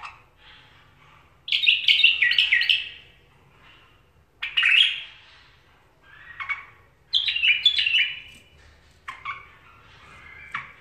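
A bulbul sings short bursts of bright, bubbling, warbled notes, phrases coming every second or two with brief pauses, in a quiet room.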